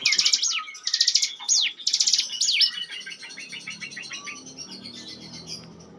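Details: Bar-winged prinia, a mountain bird used as a lure song: loud bursts of rapid high chirps and sweeping trills in the first three seconds, then a softer fast run of repeated notes fading out.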